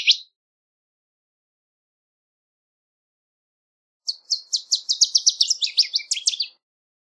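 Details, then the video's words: Northern waterthrush singing: one brief high chip, a pause, then a rapid run of loud, sharp chirped notes that speeds up and drops lower at the end, about two and a half seconds long. Quiet background. "Northern Waterthrush Song! Call! Sound! Chirp! - Reinita Charquera Canto"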